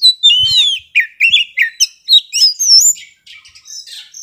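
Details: Young Oriental magpie-robin from the forest in full, intense song: quick chains of whistled slurs, trills and squeaky high notes, trailing off into softer scratchy twitters.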